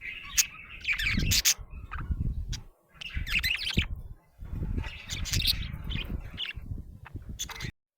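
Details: Cheerful budgerigar chatter: dense runs of high warbling chirps and squeaky notes in several bursts separated by brief pauses, over low thudding noise.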